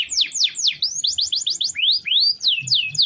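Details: Canary in full song, played to train other birds: swooping downslurred whistles, a quick run of short notes, then rising and falling slurred whistles.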